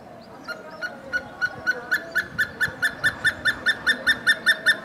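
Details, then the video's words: A Hemprich's hornbill in Dessie, Ethiopia starts with a few scattered notes, then builds into a regular, accelerating-to-steady series of loud, bright piping notes about two and a half per second. "Hemprich's Hornbill Calling and Singing"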